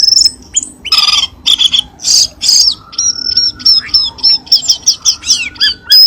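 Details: Lure sound of the cucak keling, used to stir caged birds into singing: harsh high chips, then a fast series of about a dozen sharp, evenly repeated downslurred whistles.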